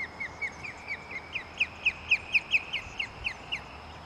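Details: An osprey calling in flight as it leaves a nest with chicks gives a run of about fifteen short, high, down-slurred whistled chirps, about four a second, swelling in loudness and then fading.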